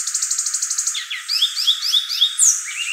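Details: Violaceous euphonia (gaturamo verdadeiro, guriatã) song opening with a quick even rattle of about a dozen notes, then a string of sharp rising and falling whistled slurs and a bright high squeal.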